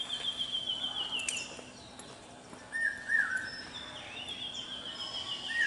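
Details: Common hawk-cuckoo male calling on a campus, known as the brainfever bird: short stepped phrases appear in the middle and at the end, and a higher, thin, falling whistle begins the recording.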